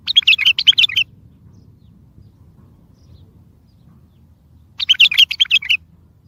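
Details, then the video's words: Loud bulbul song for trapping and for getting distant bulbuls to answer: a rapid, bright series of chirped notes lasting about a second, repeated after a pause of nearly four seconds. "اصوات بلابل تغريد بلبل قوي ينطق الاخرس كذلك للصيد البلابل الاخرى يجيب البلابل البعيده"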